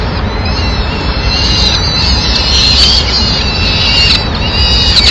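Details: At a Madrid peregrine falcon nest, 27 April 2016, the female arrives to find remains for the chicks; dense strings of shrill high calls run almost continuously above a low steady hum.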